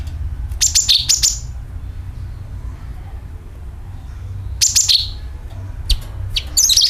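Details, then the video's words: Sooty-headed bulbul calling, used to lure birds: clusters of high, sharp, falling chirps at the start and end, with a quiet gap between them, over a low steady hum. "CUCAK KINOI ||PANCINGAN PALING AMPUH TERBUKTI PASTI IKU BUNYI SUARA PANGILAN + NYERET"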